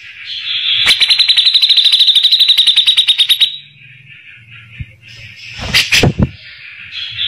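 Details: Grey-cheeked bulbul song used as tutor recording for magpie-robins, described as rough-voiced: a fast rattling series of sharp notes for about three seconds, then a pause and harsh loud bursts.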